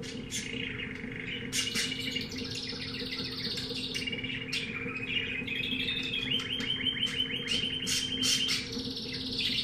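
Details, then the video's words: Singing pet canary, type unknown, purchased from a pet shop: fast rolling trills and evenly pulsed rattling phrases, bright and continuous, with sharp accents, against a persistent low hum. "Canario cantando"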